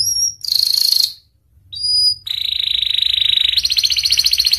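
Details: Pied canary singing pure high whistles, a buzzy burst, then a long sustained rapid trill that speeds into a pulsing rattle.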